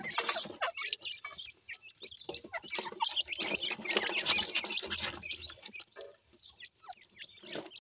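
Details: Grey francolin chicks at feeding time, sharp high chirps repeated quickly and irregularly, many birds calling at once, mixed with rustling and brief flapping sounds before the chatter thins out.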